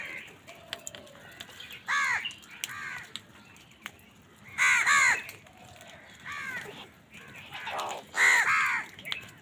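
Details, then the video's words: Many crows crowing while fighting with wild birds for food in the morning; harsh descending caws come irregularly every two to three seconds over a low background hum. "Crows fight with Wild birds for Food | Many Crows crowing sounds and noises in the morning"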